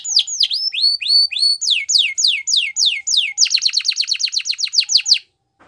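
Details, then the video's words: Spanish Timbrado canary song for training: looping whistled notes, then falling sweeps, then a fast, ringing trill of repeated notes, ending abruptly in silence. "Spanish Timbrado Song For Training"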